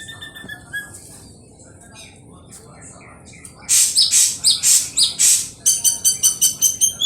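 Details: Ashy drongo song used as a lure to prompt singing: faint scattered chirps at first, then loud harsh buzzy bursts about twice a second, followed by rapid bright ringing notes.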